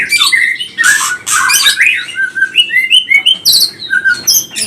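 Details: White-rumped shama in energetic, agitated song meant to provoke rivals: harsh squawky notes at first, then a run of clear slurred whistles and high sharp chirps in fast succession.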